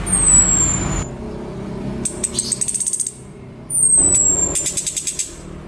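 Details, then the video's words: Female orange-headed thrush calling a male so he will start singing, giving thin high whistles that slide downward, each followed by a rapid series of dry ticking clicks, against steady low background noise. "Pancingan anis kembang betina memanggil jantan agar cepat bunyi"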